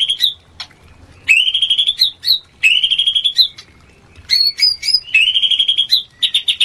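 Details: Oriental magpie-robin mating call to boost breeding urge: phrases of a fast buzzy trill held steady at high pitch, repeated three times with short pauses, broken by sharp clicks and a few quick chirps.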